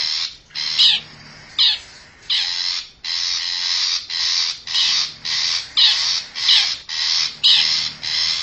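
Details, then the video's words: Lure call of a wild forest long-tailed shrike: harsh rasping notes, a few spaced out at first, then a quicker even run of short grating bursts. "suara pikat burung cendet hutan"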